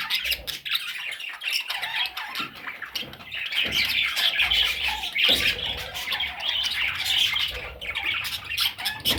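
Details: Parrot chicks giving raspy, grating calls that start quieter, then build into a constant overlapping chatter, with scattered clicks and handling noises.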